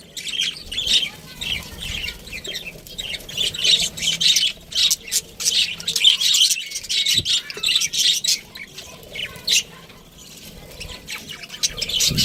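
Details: Pet budgie chirping: long run of scratchy warbling and chattering notes with occasional squeaks, pausing briefly before resuming.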